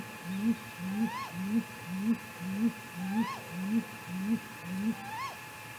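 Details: Great grey owl calling in the night at Mission Valley before 4 am, 15 May 2018, amid a possible confrontation; a low, regular train of deep hoots, nearly two each second, with occasional higher rising whoop notes above them.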